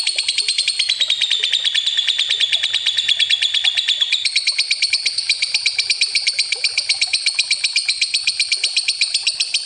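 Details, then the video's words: Long lovebird ngekek used as a lure, a sustained rapid trill of fast pulsed, strident high notes running unbroken for nearly ten seconds, with a slight pitch shift partway through. "Suara Lovebird ngekek panjang pancingan ampuh"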